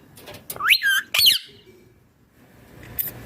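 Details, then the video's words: Indian ringneck parrot uttering two loud, harsh calls with a wavering, rising-falling tone about half a second apart, followed by near silence and a faint click. "Ringneck Parrot Natural Sounds || Parrot Voice Original"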